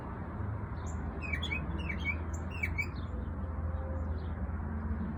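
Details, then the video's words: A small bird sings a short phrase of quick, downslurred high chirps and twitters, clustered in the middle of the recording, over a steady low hum and background noise. "Beautiful singing bird"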